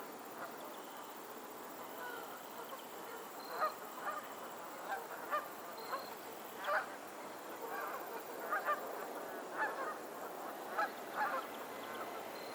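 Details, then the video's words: A lake in Pennsylvania with geese calling at a distance, a long run of moderately loud nasal honks at irregular intervals, roughly one or two per second, under a constant hiss. "the sound of geese on a lake in Pennsylvania"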